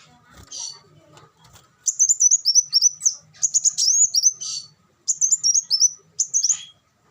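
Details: Faint soft calls lead into an olive-backed sunbird's loud, rapid, high-pitched twittering song, delivered in several quick bursts with slight downward slurs.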